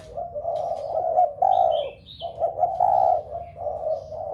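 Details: Low, hoarse crooning of a spotted dove used to stir a flock of home-kept doves to coo, in long, steady phrases broken by one short gap, with brief high chirps from other birds.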